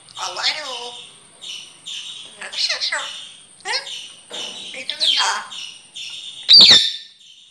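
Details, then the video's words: Grey parrot talking, a run of short speech-like syllables mixed with high chirps and whistles, ending in a loud sharp whistle, all fairly close and clear indoors. "Grey parrot talking"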